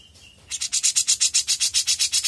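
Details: Young grey-cheeked bulbul: after a faint whistle, a quick, regular series of loud, harsh buzzy rasping notes begins.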